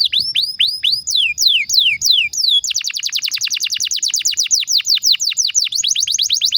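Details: Domestic canary singing a long lure song meant to set other canaries singing, first looping downslurred whistles, then switching to a fast rolling trill of sharp descending notes repeated nearly three times a second.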